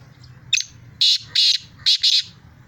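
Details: Black francolin in Sindh, Pakistan, giving a harsh grating call: a short opening note, then two pairs of loud rasping bursts within about two seconds, over a low background hum.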